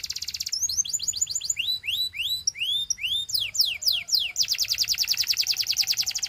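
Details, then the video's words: Belgian canary singing to encourage other canaries; opens with a fast high trill, then a series of rising whistled slurs, steep downward sweeps, and finishes in a long rapid even trill of repeated notes. "The Singing Canary Tempts All Canaries to Sing - Belgian Canary Singing"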